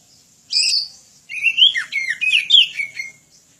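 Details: Kacer, the Oriental magpie-robin, in full voice for birds learning song: a scratchy high opening note, brief pause, then a run of bright whistled rising and falling slurs with rasping accents.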